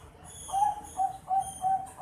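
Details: Juvenile Bangkok zebra dove, 4.5 months old, giving four clear, rounded cooing notes at one steady mid pitch, each about a fifth of a second, with a faint high whine in the background.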